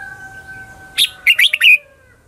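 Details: Single quick phrase of a Red-whiskered bulbul's lure song, 'ché chéc' fighting style for attracting wild birds: a sharp opening note, then four to five lilting, rising-and-falling chirps, with a faint steady tone behind.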